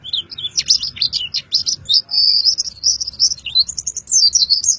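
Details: Full-fill 'isian' song of a Boyolali white-eye singing with open beak: continuous high, bright twittering with rapid slurred chirps and a brief sustained whistle midway, over a low background hum.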